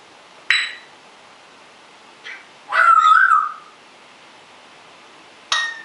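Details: A rescued pet African grey parrot of uncertain sex, thought male, sits in its cage. It tends to talk when the owner leaves the room. It gives a warbling, wavering whistle of about a second between two sharp clicks.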